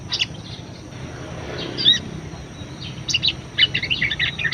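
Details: Budgerigar singing energetically, kept as a lure song for other birds; a few sharp chirps at first, then a quick run of bright twittering notes in the final seconds, with soft background noise.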